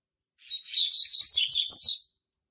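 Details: Double-collared Seedeater, a young captive-bred male hatched in March 2019, sings to claim territory. A single quick, high-pitched phrase of twittering, buzzy slurred notes runs about one and a half seconds, then stops, with quiet around it.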